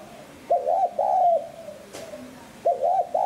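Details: Low, mellow spotted dove cooing used to attract wild doves: one full phrase of a quick double note and drawn-out coo, a faint softer note, then another phrase beginning.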